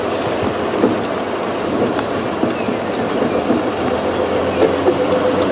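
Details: Steady engine rumble and rattling from a moving vehicle on a morning safari drive at Djuma Game Reserve, with scattered clicks and knocks and no animal calls.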